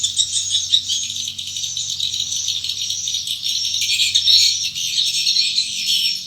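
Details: Swiftlets heading into their nests in a swiftlet house near the entry hole give a steady, rattling high chatter with faint whistled lines throughout.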